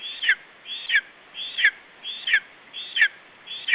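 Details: At an Estonian lesser spotted eagle nest in July 2012, a chick defends its food from an adult, giving a run of shrill, down-slurred squeals, each led by a softer rising note, repeated roughly every 0.7 seconds.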